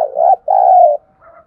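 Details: Spotted dove decoy call used to stir wild doves into calling: a loud, mellow two-part coo, a short hoarse note then a longer sustained one, followed by a softer trailing coo.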